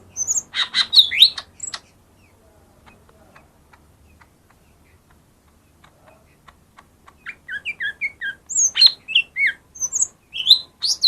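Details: Lesser green leafbird song played to draw silent birds into singing: chattering whistles at first, several seconds of faint clicks, then a dense sequence of varied high whistles and quick chirps.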